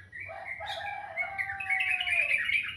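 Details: Morning birdsong with a long, drawn-out whistled note that slides gently downward, overlapped by rising chirps and busy twittering that grows louder toward the end.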